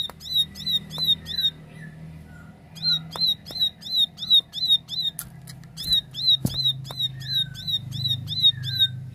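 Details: Ciblek sawah, the plain prinia, repeating high, buzzy chirps in quick strings of five to eight, with a few softer lower slurred notes between runs, against a low background hum and sharp knocks.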